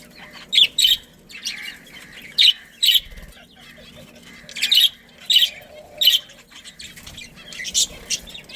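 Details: Budgerigar breeding colony: clipped, squeaky chirps sound singly and in pairs at irregular intervals, with softer chatter in between and faint low room noise.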